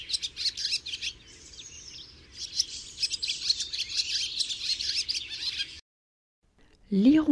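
A Barn Swallow sings a fast, chattering twitter of high chirps and scratchy trills for about six seconds. A brief pause follows, then a man's voice speaks.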